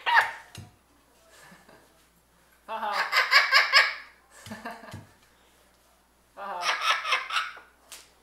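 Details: A pet severe macaw playing tug-of-war with a rag and 'killing' it like a dog gives bursts of rough, laugh-like chatter, each about a second long with short pauses, in a small indoor room.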